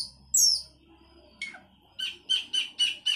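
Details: Sooty-headed bulbul giving 'gacor isian' song: one loud high slurred whistle, a short falling note, then a run of five evenly spaced, harsh, buzzy chattering notes; faint low hum underneath.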